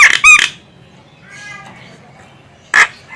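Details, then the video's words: Calls of a female Javan myna used as a lure for other birds: two loud rasping squawks, a soft nasal middle note, then another harsh squawk. "suara burung jalak kebo cocok untuk Pikat burung"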